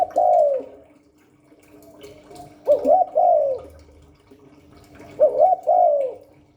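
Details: Spotted dove coos in the 'Hạp Bổi 38' style meant to stir wild doves: three soft phrases, each a quick upswept note and a falling drawn-out coo, spaced about two and a half seconds apart, light clicks and hum behind.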